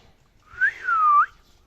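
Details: Single whistled phrase from a pet male parrot: a short upward note, then a long smooth tone dipping slightly and flicking up at the end.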